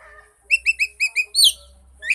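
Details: Oriental magpie-robin song used as a lure to prompt a silent bird to sing: faint low notes, then five clear whistled notes in quick, even succession, ending in a louder slurred whistle, with a low wind rumble beneath.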